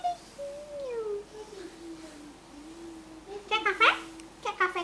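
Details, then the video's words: Cockatiel kept as a talkative pet, giving long gliding whistled tones that slide down and level off, then a burst of short harmonic chattering syllables and a few quick squeaky notes, with a person's voice nearby. "CALOPSITA fala demais"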